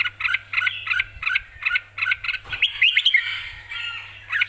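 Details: Red-whiskered bulbul in excited, clear song, ready to compete: rhythmic chirped couplets at a quick pace, broken by a rapid burst of rising whistled notes, then more couplets, over a steady low hum.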